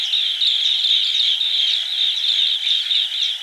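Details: Green bee-eater calling in a continuous run of high, rolling, trilled chirps that overlap into one unbroken chatter, with no pause and no other clear sounds.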